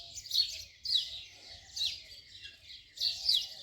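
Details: Four loud, scratchy house sparrow chirps spaced just under a second apart, each a quick harsh note.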